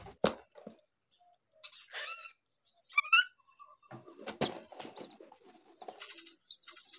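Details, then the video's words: Hungry baby myna begging, giving harsh, raspy high-pitched calls that grow louder and more insistent toward the end, mixed with scattered chirps and a few loud rustling thumps. "A baby Myna bird was hungry"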